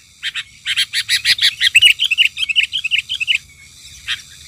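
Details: Agitated sooty-headed bulbul responding to a lure bird during trapping, pouring out a rapid, chattering run of bright chirps and whistles, about three notes a second, then a single late note.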